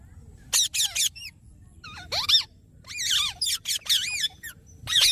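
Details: Parrot uttering squeaky calls: clusters of short high notes, a long upward-sweeping whistle, then wavering chirps and squeals in irregular bursts over a low background hum.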